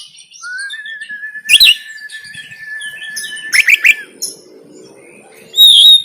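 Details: Oriental magpie-robin in Banten, Indonesia, giving 'konslet tarung' fighting song on an Android phone recording meant for training birds: a sustained level whistle broken by sharp chirp bursts, a trill of clicks, and a loud closing note.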